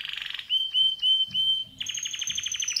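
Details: A singing male canary moves from a buzzy trill into clear, pure whistled notes held briefly, then breaks into a quick, rhythmic series of sharp repeated chips.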